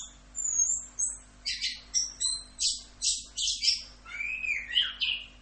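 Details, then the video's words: Orange-headed thrush in full 'rock'n roll' style song, high thin whistles followed by a run of rhythmic harsh buzzy notes about twice a second, then sweeping rising and falling whistles; a low electrical hum underneath. "MASTERAN ANIS KEMBANG FULL Rock'n Roll"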